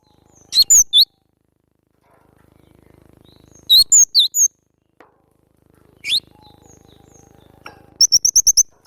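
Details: Cinereous tit song for training cage birds: groups of three or four shrill, quick chirps spaced by pauses of roughly three seconds, closing with a fast, even series of six clipped high notes.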